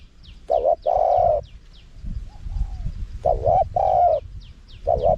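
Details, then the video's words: Spotted dove giving high-pitched wild-style song with khat, nun, khu and ang parts, played to pull wild doves in. Double note and long coo, a soft gap, then the phrase repeats and starts again. "เสียงนกเขาใหญ่ คารมป่า (เสียงเล็ก) มีขัด มีหนุน คูอ่าง"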